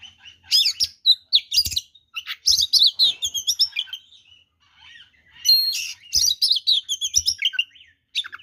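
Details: Oriental magpie-robin pouring out a dense, varied fighting song intended to make rival magpie-robins aggressive; rapid chattering trills, buzzy bursts and sharp whistles in quick succession, with soft low taps in the background.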